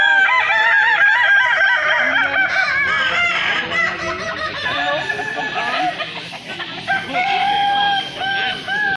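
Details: Balenggek roosters at a crowing festival in Solok, Indonesia, performing the kukuak balenggek style: many long, layered, wavering harmonic crows overlapping continuously, rising and falling in stepped, rolling phrases, with a dense chorus of other crowing birds.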